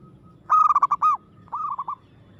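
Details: Local zebra dove singing aggressively: a loud bubbling phrase of quick rolling coos followed by a softer, shorter trilled phrase, with a faint low hum beneath.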